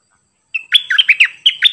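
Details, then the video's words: Cream-vented bulbul, 18 June 2021, giving a brief snatch of its doubled 'phleng boen' song: after silence, a string of about six clear, liquid whistled notes sliding up and down. "เสียงนกดอกแตงEp.59 Birds sounds เพลงเบิ้ลของเจ้าเพชร!!Merbah lekir gacor"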